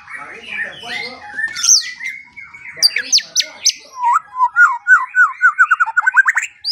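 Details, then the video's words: White-rumped shama song for training songbirds in the morning and evening: varied warbling and sharp high notes, then a quick rhythmic series of rising whistled notes repeated many times. "Pancingan dan Masteran Pagi dan Sore Hari Murai Pendiam Langsung Ikut Bongkar Isian | shama bird"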